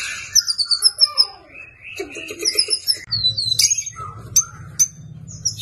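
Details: Murai batu, the white-rumped shama, giving an energetic 'isian' fighting song meant for training caged birds. Bright whistled notes repeat in a run, then scattered sharp chips and high slurs over a low steady hum.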